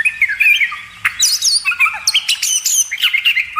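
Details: Oriental magpie-robin training song for cage birds: mid-pitched warbled whistles and chattering notes, with a sudden sharp high burst partway through, followed by quick bubbling phrases.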